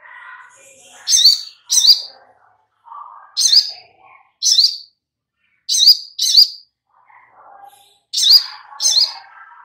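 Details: Lure recording of little spiderhunter (sogok ontong) meant to make birds reply and sing vigorously. Piercing high chip notes come mostly in quick pairs. Softer, lower warbling chatter runs between the pairs.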